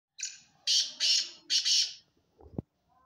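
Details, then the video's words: A black francolin gives a harsh, grating phrase of about five rasping bursts in under two seconds, followed by a brief low knock. "Black Francolin Voice Kaly Teetar Ki Awaz Kala Teetar"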